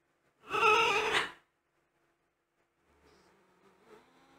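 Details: Green-winged macaws with a newborn chick in a nest box; one loud harsh raspy squawk of about a second, followed after a pause by faint soft grating sounds.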